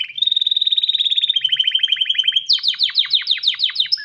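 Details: Breeding-ready male canary calling a female to mate: a long rapid rolling trill slowly dropping in pitch, followed by a run of loud downward-sweeping notes and a final clear whistle.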